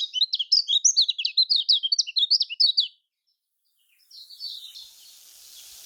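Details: Kecial kuning, the lemon-bellied white-eye, singing in the Lombok manner to prompt other birds: about three seconds of rapid, high, jerky chirping notes, then a pause and a fainter chatter over hiss.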